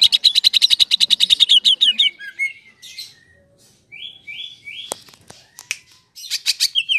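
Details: Greater green leafbird in a long 'ngerol' song. A rapid, even chattering trill of about twenty notes gives way to sliding whistles, a near-silent gap, clicks, then another short trill burst.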